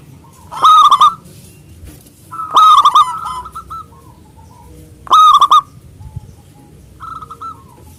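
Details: Local zebra dove with a loud voice singing to call rivals: three loud bursts of rapid, clipped cooing notes near a steady pitch with rich overtones, about two seconds apart, fainter cooing from another dove between.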